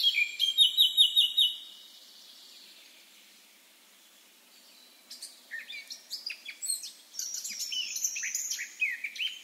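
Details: Free-living Eurasian blackcap: a quick run of repeated bright notes, then a near-silent gap, then a jumbled chattering warble that builds toward the end.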